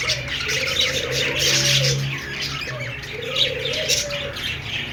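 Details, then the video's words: Busy high chirps and warbles from a group of budgies, accompanied by a low cooing call heard twice and some soft low rumbling. "Budgies sounds /love birds sounds/budgies singing/parakeets chirping sounds"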